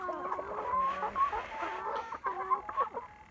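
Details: Backyard village hens in a henhouse calling continuously: layered, nasal, harmonic clucks and drawn-out murmuring notes, several overlapping, loud at first and fading toward the end.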